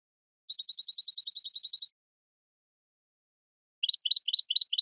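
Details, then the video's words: European goldfinch song: a rapid even trill of high twittering notes lasting over a second, then a pause of about two seconds, then quick rising-and-falling chirped figures repeated in a lively series. "من أقوى تغاريد طائر الحسون الجميلة"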